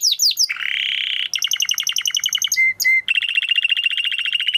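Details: Timbrado canary singing for canary training: quick falling chirps, a sustained buzzy roll, then a pulsed trill, two clear flat whistles, and a long fast repeated trill to the end.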